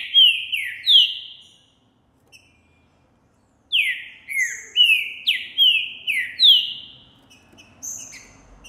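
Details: Trinca Ferro Boi green-winged saltator recorded January 2024, singing and displaying hard toward a female heard at a distance; a short phrase of three downward whistles, a pause, then a longer run of about seven loud falling whistles with high chips.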